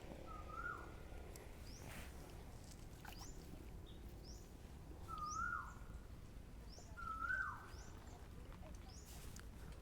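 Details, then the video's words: At a Thailand hoya nursery in early December, around 11 a.m. and about 80°F, three rising, two-part Asian Koel calls sound a few seconds apart and grow louder, with faint high chirps from other birds and a steady low hum. "I hear Asian Koel on the background"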